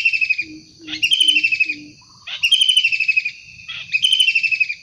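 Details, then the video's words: Actively calling wild kingfisher for luring and tutoring: four soft low hoots, then three loud, buzzy, downward-sliding rattling trills, each lasting about a second. "Tengkek udang gacor asli alam liar"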